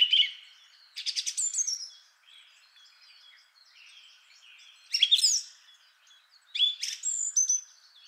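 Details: Song thrush (Turdus philomelos), the first of three example males, sings a rich song of long, complex phrases of clear whistles and sharp chattering notes, in bursts separated by short quieter pauses.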